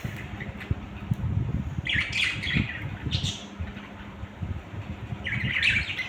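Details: Pet budgerigars, more than one, make three short rasping squawk bursts spaced a second or more apart over a constant low rumble and hum.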